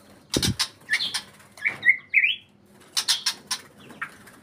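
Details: Song of a white-rumped shama in breeding condition: short rising whistles and slurred notes broken up by loud broadband rattling bursts, possibly wing flapping, in quick irregular succession.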